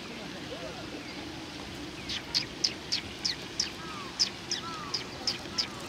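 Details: Sparrows coming to be fed, recorded 22 September 2020, sparrows said to be fond of insects: a run of short high chirps repeated roughly every third of a second over steady outdoor background noise.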